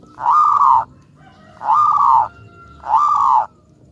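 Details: Local zebra dove used as a lure for other doves: three drawn-out, hollow coos of about half a second each, evenly spaced over four seconds, with faint whistled tones in between.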